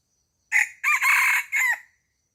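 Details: Chicken on a farm crowing once, a loud three-part cock-a-doodle-doo lasting about one and a half seconds, first note short, then a long sustained middle note and a falling final note, with no other sounds.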